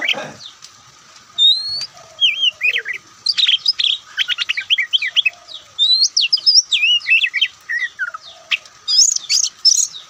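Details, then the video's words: Oriental magpie-robin, a white-breasted kacer songbird, singing a loud, varied song in ngobra style: rapid bursts of whistled, slurred and buzzy notes, rising and falling, delivered in quick dense phrases with barely a pause. "Kicauan Santai Kacer"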